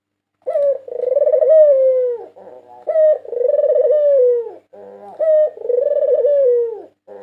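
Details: Cooing of a champion white Barbary dove, national winner in 2022, used to lure birds: three deep two-part phrases, a brief clipped note then a drawn-out purring coo sliding lower, about every two seconds in a quiet room.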